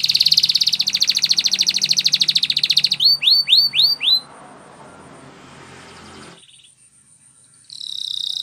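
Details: Canary training song: a long fast rolling trill, then four loud rising-falling whistled notes, a quiet stretch, and a final burst of trilling.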